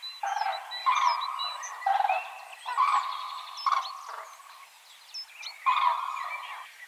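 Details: Wild common cranes in spring during the breeding season, calling while they court and dance: loud, harsh, rolling trumpet calls come in bursts of about a second, with short pauses between them. Thin chirps from other birds sound faintly above.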